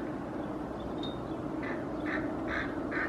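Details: Hooded crows (Corvus corone cornix) in Helsinki, Finland, on 8 May 2024, give four quick harsh, hoarse caws, about two a second, over steady hiss, reacting to a Common Raven behind a cliff and trying to chase it away.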